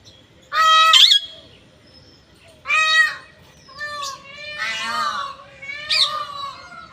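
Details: Parrot giving harsh, nasal squawks: two loud, rich-toned calls about two seconds apart, followed by a wavering, warbling series of rougher squawks toward the end, over a quiet low background.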